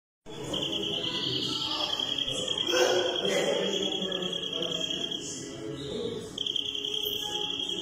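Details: European greenfinch (Flurya) song: a long, steady, bright trill held at high pitch for most of the clip, broken once near six seconds, over lower murmuring, voice-like sounds.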